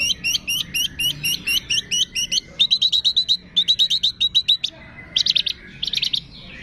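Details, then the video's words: Long-tailed shrike in a masteran training recording, its song filled with imitations of cililin, greja tarung, lovebird, tengkek and kapas tembak. Here it gives rapid series of high, sharp chirped notes in short bursts, then brief buzzy trills. "MASTERAN CENDET ISIAN CILILIN, GREJA TARUNG, LOVE BIRD, TENGKEK, KAPAS TEMBAK"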